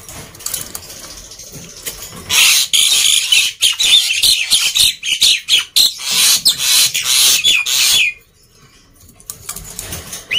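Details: Black-winged myna in loud, noisy song to lure silent birds into calling: after a quiet start, a long dense harsh rasping stretch with choppy pulses, ending in a falling whistle and near silence.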